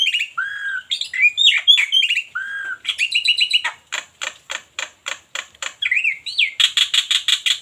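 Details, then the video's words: Black-winged myna from Cianjur mixing whistled slurs and squawky notes with trains of sharp, clicking broadband bursts and a final stretch of rapid harsh chatter. "Jalak putih suaranya enak d dengar"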